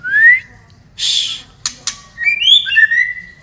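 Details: White-rumped shama, a female from Medan, Indonesia, opens with a rising whistle, then harsh broadband bursts, followed by a cluster of bright whistled notes stepping up and down.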